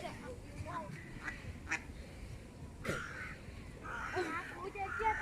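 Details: Gulls on a spring Sunday morning give harsh, nasal squawks in short overlapping bursts, louder toward the end, over a steady low rumble of background noise.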